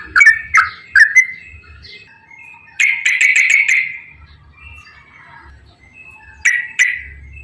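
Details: Straw-headed bulbul song with a long warble: loud gurgling whistled notes in short bursts, a dense rolling phrase in the middle, quiet pauses, then two more strong notes; faint low rumbling beneath.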